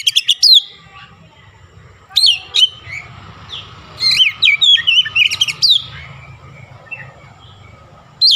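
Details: Oriental magpie-robin in lively song with Javan myna mimicry: clusters of sharp whistles and chattering notes separated by pauses, over a low background rumble.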